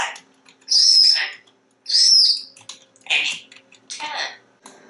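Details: Very talkative pet African grey parrot speaking about foods: two high, clear whistled notes with a falling glide, then two breathy, speech-like bursts of mimicked syllables, in a quiet room.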